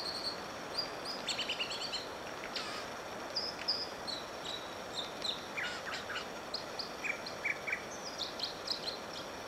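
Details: On Whisper Creek near Diamond Lake, Oregon, an American dipper sings and dips, giving high thin whistles, short buzzy trills and chirps in loose series above loud, constant stream noise.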